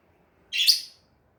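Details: Single sharp, shrill chirp from a pet lovebird playing with a mirror, lasting about half a second against a quiet room.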